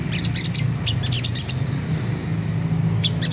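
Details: Sunda whistling thrush in rough ngriwik kasar chattering, a lure for caged birds: scattered high scratchy notes through the first second and a half, a pause, then a short closing burst, over a loud low hum.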